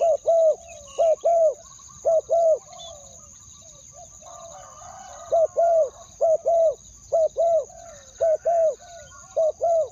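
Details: Lure call of a decoy spotted dove meant to attract wild doves: hollow low coos in short bursts of two or three, a pause midway filled with soft bird chatter, and a steady high-pitched hum.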